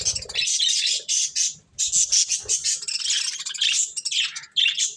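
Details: Budgies feeding on corn chatter almost without pause, their harsh high chirps and squawky warbling running in dense bursts, with a few soft low knocks.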